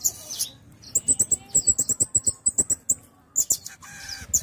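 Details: Pin-tailed parrotfinch (Erythrura prasina) singing a rapid series of very high, thin tsit notes, about five per second, in two bursts with brief clicks and rustles.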